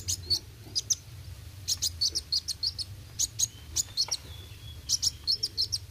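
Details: Sunbird singing vigorously: bright, piercing high chirps repeated in short rapid runs of three to six notes, pauses between runs, a faint thin whistle in the gap, low hum throughout.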